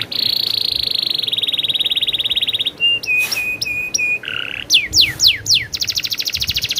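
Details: Canary delivering a lively rolling song: a long rapid trill, a run of steady whistled notes, several downward-sweeping whistles, then another fast rolling trill.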